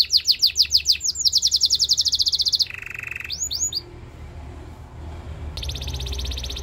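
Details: Belgian canary singing to train other canaries: quick rising whistled sweeps run into a dense high roll, then a lower buzzy trill, a few upward slurs, a pause, and a renewed rapid high roll.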